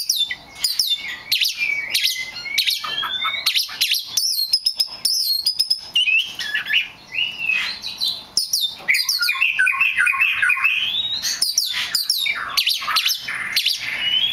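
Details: A very rare black magpie robin sings a long, energetic sequence of sharp chirps and sweet sliding whistles, phrases rising and falling, with short silent breaks between the bursts.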